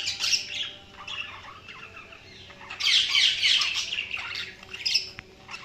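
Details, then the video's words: Budgies chirping: a few sharp chirps, then a sustained loud stretch of rapid, buzzy, high warbling chatter, easing into separate chirps at the end. "Budgies Sounds| Budgies Chirping sound"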